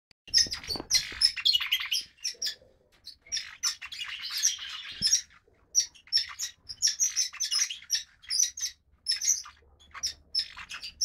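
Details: Brood of five young red-rumped parrots in the nest, all lutino or pied-dilute females: dense, overlapping high raspy chirps and squeaky calls in rapid bursts, pausing briefly near two and a half seconds then resuming.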